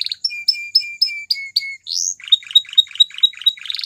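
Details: White Belgian canary singing: a tour of clear, level whistled notes repeated about every quarter second, an upward sweep, then a fast run of short bright chirps.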